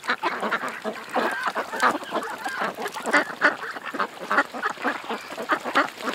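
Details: Several ducks at a creek give a dense, overlapping run of nasal quacks and chatter, with brief calls tumbling over one another throughout and no other clear sounds.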